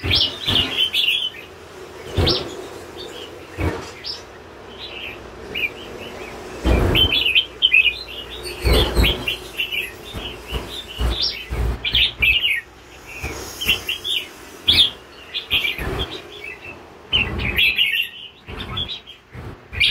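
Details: A wild-caught red-whiskered bulbul sings bright, chirpy phrases of quick warbled notes, broken by sharp knocking sounds.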